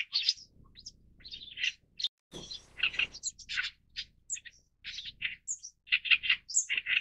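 An Oriental Reed Warbler gives a loud, harsh run of grating, croaking notes and squeaky chirps, jumbled and repeated in quick succession without pause.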